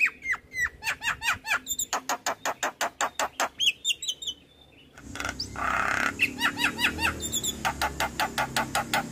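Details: Javan myna in full song with many fill-in phrases, a master track for training: long rapid trains of clipped chirps at a steady beat, a few upswept whistles, then a burst of noise and more repeated chirps.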